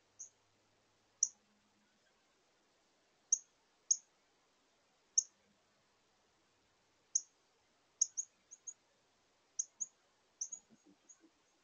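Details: A male northern cardinal at a Minnesota bird feeder on 6 September 2022 gives an unusual call before take-off: sharp, high metallic chips, single or in quick pairs, varying in speed and pitch, spaced irregularly about a second apart over a quiet background.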